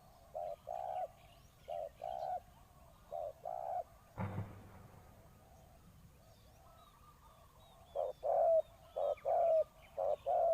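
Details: Decoy spotted dove calling to draw in wild doves: low paired coos, then a dull thump and several seconds of near silence before the cooing resumes with falling, slurred notes.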